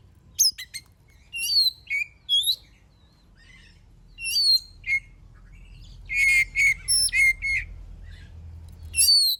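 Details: Oriental magpie-robin in full song, used to stir other birds to sing: varied whistled notes, slurs and short rich chirps in irregular bursts, including a quick series of clear whistles, with low rumbling background.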